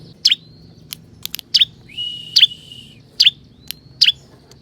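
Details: Bar-winged prinia of the kristal type, played to draw wild forest birds in. Sharp, downslurred high chirps about once a second, with short ticks between them and one longer, buzzy whistled note.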